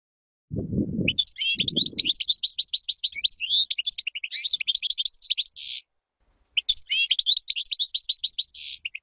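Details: Two phrases of European goldfinch song for chick training, each a dense rapid twitter of high liquid notes ending in a harsh buzz, with two low dull sounds near the start.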